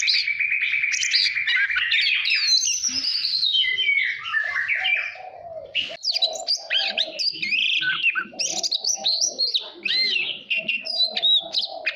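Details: Caged Oriental magpie-robin singing to train its voice. A buzzy trilled phrase runs for several seconds, then breaks into varied rising and falling whistles over murmuring lower notes.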